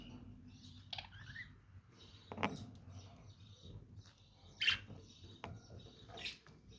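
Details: Scattered high, squeaky chirps from lovebirds sound every second or two over constant faint twittering and a low background hum.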